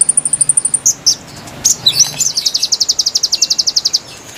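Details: Konin song for luring wild birds, opening with a very high thin run of notes, a few scattered chirps, then a steady two-second trill of quick repeated notes.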